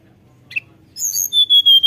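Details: Sunda Robin (tledekan gunung) singing in a flute-like style, used as a lure recording to get captive birds singing. A short high chirp, then buzzy high twittering, then a long pure whistle held steady and repeated in several bursts.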